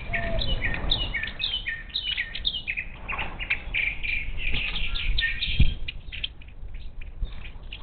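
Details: Wild monk parakeets at a bird feeder near Houston, Texas, on 10 March 2021; busy overlapping screechy chatter from several birds, with a single sharp knock.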